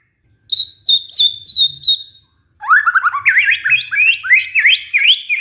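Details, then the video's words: White-rumped shama lure song, played to coax a stressed bird that has stopped singing back into song: a run of clear high whistles, then rapid rising and falling slurred notes in a lively, varied burst. "pancingan murai batu macet bunyi karena stres"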